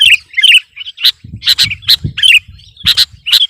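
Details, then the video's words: Sooty-headed bulbul singing hard against rival birds: short, bright chirping phrases and sharp doubled chips, delivered in quick irregular bursts over three and a half seconds. "Suara burung kutilang gacor || menekan lawan 100%"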